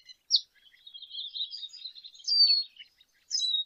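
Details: A lesser goldfinch sings a rambling string of soft, high twitters and slurred whistles, with a sharp chirp at the start and a louder descending whistle near the end.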